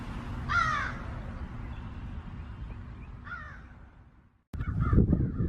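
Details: American crow in a backyard, mobbing and surrounding a hawk (a red-tailed hawk) to drive it away, gives two harsh, hoarse caws about three seconds apart over a steady low rumble that turns rougher near the end.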